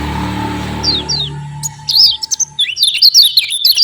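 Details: Javan white-eye chirping, played as a lure to stimulate silent white-eyes: a couple of falling chirps over a droning hum, then a rapid, jumbled burst of high twitters.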